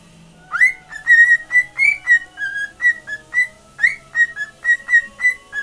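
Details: A pet male cockatiel whistles his own made-up tune of clear, bright notes repeated in a quick, steady rhythm, with a radio playing in the background.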